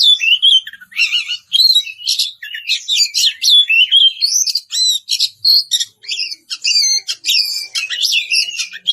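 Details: A challenging Oriental magpie-robin, known locally as kacer, pours out sweet ngeplong song to summon a rival: nine seconds of varied whistles, upslurs and scratchy chatter in quick repeated phrases, each phrase cut off by a brief silence.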